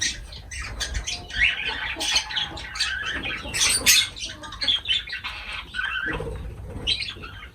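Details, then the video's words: Lovebirds at feeding time chatter noisily in harsh, shrill squawks and rapid chirps that come in dense bursts. The calls briefly pause before resuming higher. "Love birds voice sound"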